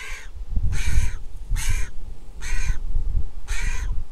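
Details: Griffon vulture chick in a nest in Israel begging at lunchtime, 23 July 2021, hatched that April: five coarse, hoarse squawks spaced about a second apart, with low thumping noise underneath.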